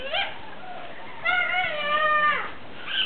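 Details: Cockatoo at a North Sulawesi wildlife rescue center, known for laughing and saying good morning. A drawn-out, nasal, harmonic call holds for about a second, flanked by brief squawks, with little background noise.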